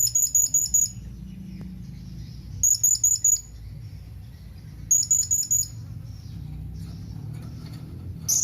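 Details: Blue-crowned hanging parrot calling to companions. Three evenly spaced bursts of five to six rapid, needle-thin, high chips, roughly every two and a half seconds, with one more sharp note at the close.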